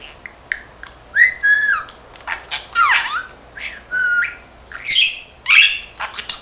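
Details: Lively self-directed chatter of a 13-month-old male pet budgerigar that says Korean and Japanese words: loud whistled slides and harsh squeaky notes alternate in a steady stream of phrases.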